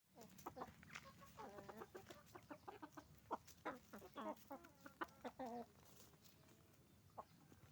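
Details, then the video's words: Roosters and hens making noise on a chicken farm: a busy flock chorus of overlapping harmonic clucks and squawks, bursts packed between one and six seconds, then fading to scattered single calls. "Moment of the sound of a chicken farm, roosters and hens making noise"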